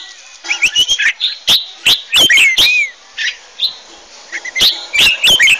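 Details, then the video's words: Red-whiskered bulbuls singing on a hillside in competitive dueling song, used as decoy calls for trapping: quick bursts of bright, liquid whistled notes sliding up and down, several a second, with short pauses between phrases. "Chào mào hót đấu"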